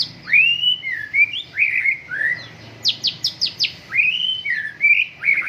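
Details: Strong white-rumped shama song at a morning dew airing: long sweeping whistles that rise and fall, a quick run of five sharp high notes, then more fluid slurred whistles.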